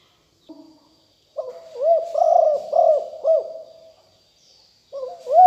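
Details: Decoy call of an aggressive spotted dove: a soft lead-in note, then a full phrase of four mellow, rolling coos, with the next phrase starting at the end. Faint high chirps and a steady thin tone sound behind it.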